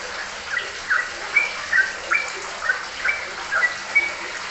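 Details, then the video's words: Sooty-headed bulbul song, quieter and partly masked by a rushing, water-like hiss; short whistled phrases recur about twice a second. "Gantengnya Burung Trucukan saat Ropelan"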